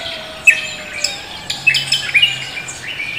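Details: Morning song of a cucak kombo, full of spirit: a few sharp, high chirps spaced apart, then a quick clustered group of bright notes, with a faint steady drone behind.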